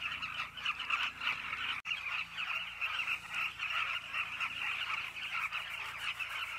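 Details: Numerous Carmine bee-eaters at a cliff nesting site produce a continuous, rolling chatter of throaty calls, broken by a single sharp click near the second mark before the chorus resumes.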